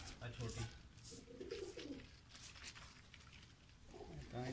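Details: Painted domestic pigeons in a loft: a pulsing low coo at the start, another drawn-out coo mid-way, and a fresh one near the end, with a human voice and handling noises.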